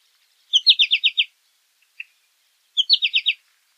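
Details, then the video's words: American goldfinch giving two quick bursts of five or six sharp, bright chirps each, separated by a pause with a single soft note between them. "American Goldfinch Song! American Goldfinch Call! - Jilguero Americano canto"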